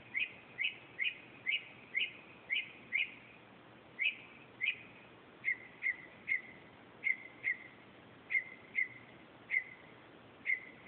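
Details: At 2:30 am a northern mockingbird repeats one short, sharp whistled note roughly every half second, a long, even series of about twenty identical chirps, briefly pausing midway, in still night air with soft hiss.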